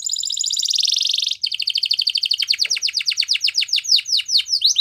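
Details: Yellow canary song opening with a long rapid high trill, then repeated clipped notes that slow into bold downslurred whistles.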